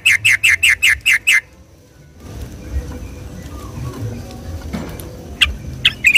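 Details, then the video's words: Yellow-vented bulbul singing in rolling, nonstop style on a Sunday morning, a recording used to lure and stimulate the same species: seven quick bright chirps in a row, then a muffled pause with low rumble and scattered faint notes, closing with a few sharp chirps. "suara trucuk gacor ropel di minggu pagi ini"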